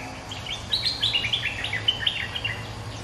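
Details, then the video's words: A resident bulbul responding to a rival in a lure recording: a rapid run of sharp chirps, about three per second, slightly irregular, over a faint low hum. "เสียงนกดอกแตงEp.209 ถูกคู่ เจ้าถิ่นริก!!กระจายเลย Suara pikat merbah lekir gacor"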